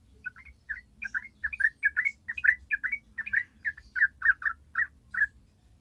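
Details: Yellow-vented bulbul, 'ropel panjang' song used as a lure: a long run of mellow, gurgling double notes delivered at a lively, fairly steady pace over five seconds, with soft low hum behind.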